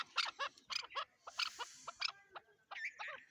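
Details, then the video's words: Chukar partridge calls: rapid, harsh chattering notes in quick groups, ending in a drawn-out, rasping squeal. "chakor# ki# awaz"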